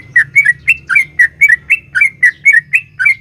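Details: A female sooty-headed bulbul's long calling song to a male, meant to provoke caged birds: rapid paired, gurgling chirps with brief whistled tails, evenly paced, over a faint low hum.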